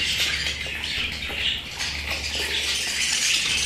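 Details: Pet budgerigars giving dense, overlapping warbled chatter and short chirps, busy and continuous throughout, with a steady low hum underneath.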